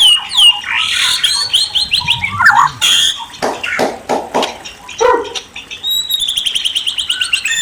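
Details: White-rumped shama song: a rich, varied run of clear whistled phrases, rapid trills and sharp chattering notes, ending in a fast series of high, evenly repeated notes.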